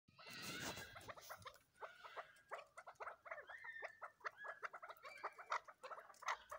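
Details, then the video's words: Young cross-bred chukar chicks giving dense, rapid, clucking chirps, many short notes overlapping in quick succession, with a louder harsh burst at the start. "کراس چکور کے بچے"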